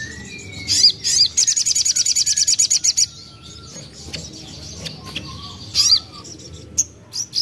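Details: Common iora, young bird, sung as a lure to coax singing: one rapid rattling trill of high thin notes lasting nearly two seconds, followed by scattered single chips and short whistles.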